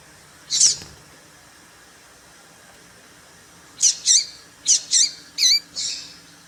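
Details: A single high chip from a female papa-capim seedeater, then a pause of about three seconds, then a rapid run of five or six bright chips. The call is used to excite males.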